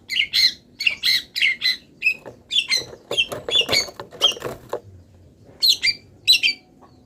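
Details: Still-moulting long-tailed shrike singing with copied wild-bird sounds: quick harsh, squeaky notes in tight runs, then a softer muddled stretch, a pause of about a second, and two final sharp bursts.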